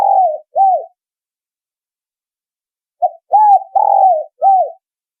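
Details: Lure call for spotted doves: short arched cooing notes in small clusters, a pair at the start and four more after a three-second pause, over a quiet background.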